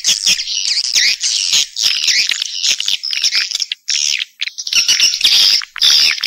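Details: Swiftlet lure sound used by swiftlet farmers to draw birds into a house to roost and nest: dense, overlapping high twittering chirps and squeaky trills in quick bursts, with brief gaps near the middle.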